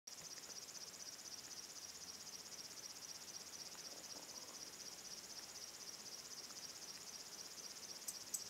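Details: A river warbler (Locustella fluviatilis) at Lammassuo, Väärinmaja, Ruovesi, on 29 July 2014 gives a steady, high, insect-like rhythmic buzzing, about four pulses a second, with no pause and faint background hiss.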